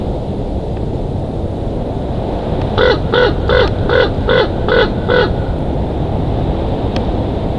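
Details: Bald eagle at its Big Bear Valley nest in the evening, giving seven evenly spaced, clipped chattering notes in just over two seconds, set against loud continuous wind noise.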